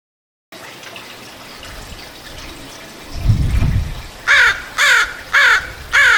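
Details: Crow calling over a rushing, watery background noise with a low splashing burst, then four loud harsh caws repeated about twice a second.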